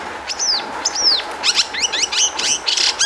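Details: Long-tailed shrike song as a lure to make other shrikes sing: two clear downslurred whistles, followed by a rapid series of varied slurred chirps and twitters over a faint hum.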